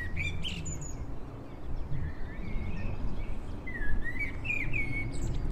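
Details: Eurasian jackdaws gathering horse hair for nests in Heemskerk, Netherlands. Brief, squeaky call notes come in scattered bursts over heavy low wind rumble.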